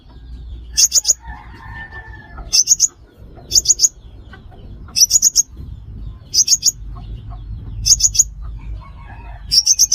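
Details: Sunbird lure for trapping: short clusters of two to four thin, high, piercing chips repeated every one to two seconds over a steady low hum.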